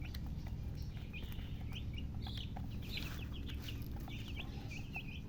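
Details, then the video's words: Colour chickens chirping: rapid, thin, high peeps, many short notes tumbling over one another without pause, heard over a steady low hum. "silly chicken chirping sounds with murgi hen color chicken"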